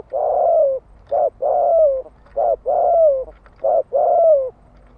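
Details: Spotted dove cooing in the fast 'thúc gù' style to stimulate wild males. Low, mellow coos come in pairs, a short note and then a longer, slightly falling one, repeated steadily about every second. The background is quiet.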